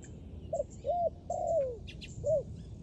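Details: A dove calls with a quick short coo, a rounded arched hoot, then a longer note falling away, followed by one more arched hoot; thin chirps of small birds behind.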